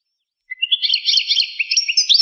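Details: European goldfinch, 1985 recording: after a brief silence, a rising tumble of liquid twitters and warbled slurred notes, high and continuous, building in loudness toward the end.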